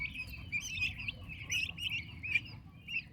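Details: Turkey chicks with their mother, continuous high trilling peeps from several young birds run together almost without gaps, over a low rumble.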